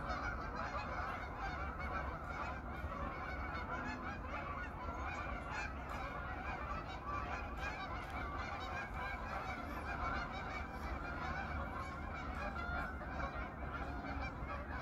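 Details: Wintering flock of geese, some 500 to 800 birds, back on their evening pond in autumn, noisy through the night; an unceasing wall of overlapping honks and yelps, rough and layered, steady in loudness throughout.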